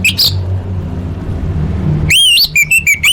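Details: Orange-headed thrush, a lure for caged birds: a brief whistled note, a quiet pause, then a loud, rich warbled whistle followed by a series of short, evenly repeated whistled notes; low hum behind.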